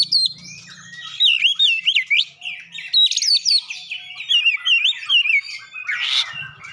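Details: Varied whistled song of an oriental magpie-robin with mimicked gelatik batu phrases: looping, wavering whistles strung together almost continuously, ending in a harsh rasping burst; faint low hum at the start.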